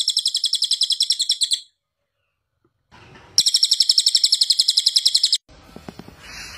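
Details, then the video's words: A cililin bird gives a loud, high, fast-pulsed trill, falls silent, then repeats a longer burst of the same shrill rattling phrase before a brief rustling noise. "Cililin bird suara keras"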